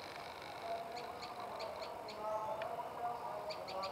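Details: Olive-backed tailorbird singing: short, sharp high notes repeated in loose bursts, slightly uneven, over a steady low hum and faint background murmur.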